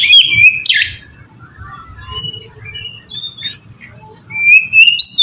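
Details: Oriental magpie-robin ngeplong singing used to draw song from other kacer: a whistled phrase and harsh rasp open the passage, scattered soft notes follow, then loud rising whistles return at the end.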